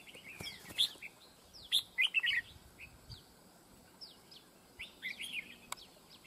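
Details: Fight-trap decoy red-whiskered bulbul sings sharp, clear whistled phrases, swooping notes and rapid bouncing clusters, loud and close, with short pauses between bursts.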